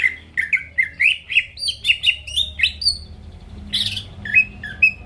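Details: Greater green leafbird song for provoking rival birds: quick series of clear, slurred whistles stepping upward, then a harsh burst followed by a few isolated whistled notes.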